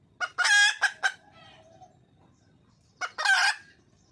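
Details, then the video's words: Wild junglefowl hen calling for a male: a sharp cluck, a loud grating squawk and two short clucks, a quiet gap with soft background noise, then another harsh squawk. "le bruit d'une poule sauvage,เสียงไก่ป่าร้องหาถู่หาตัวผู้,ສຽງໄກ່ປ່າຮ້ອງຫາຄູ່ຮັກ, poj qaib qus see"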